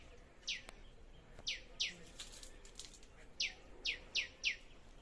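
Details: A bird in a small food-forest garden gives about seven short, high, downward-sweeping chirps at an uneven pace, some in quick pairs, over faint background hiss.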